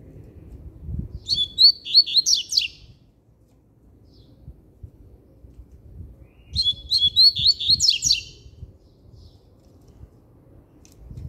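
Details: Double-collared seedeater repeating a fast, emphatic phrase of high slurred whistles and buzzy notes twice, about five seconds apart, with low thumps and rustling noise in the background.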